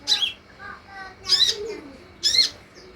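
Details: Olive-backed sunbird calls played to make sunbirds respond: three scratchy, buzzy chatters, with faint lower chirps between them.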